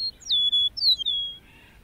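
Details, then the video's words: Lark singing over meadows and grasslands: a brief high note, then long, clear, steady whistles that slide slightly downward, one after another, with a faint softer whistle trailing at the end over a quiet background. "The Calming Power of a Larks Birdsong"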